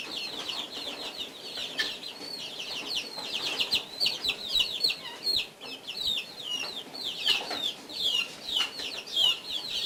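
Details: Guinea fowl, three birds feeding at breakfast, giving quick high-pitched chirps in an unbroken chattering run, the notes clipped and falling, with a few faint knocks underneath.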